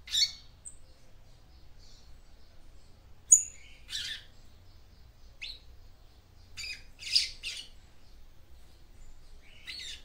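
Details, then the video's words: Female papa-capim seedeater calling to stir up the male with scattered, high, sharp chirps and brief buzzy notes spaced a second or more apart, separated by near silence. "CANTO DE FÊMEA PAPA CAPIM PARA ESQUENTAR SEU MACHO"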